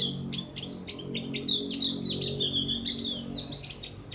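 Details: Opior jawa, the Javan grey-throated white-eye, in ngriwik style with a loud, open voice, used to train caged birds. A fast run of high chirps flows into a sustained twittering warble, rapid and uneven.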